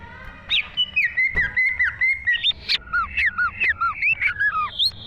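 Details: Green leafbird, or cucak ijo, in lively 'gacor' song from 2023: a long sequence of clear whistled notes, many slurred downward, delivered about two to three a second after a short quiet start, over faint low noise.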